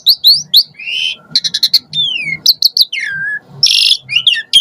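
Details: Starling lure sound from an Asian pied starling: bright chips, a long falling whistle, rapid clicking notes and a harsh burst, with soft low thumps in the background.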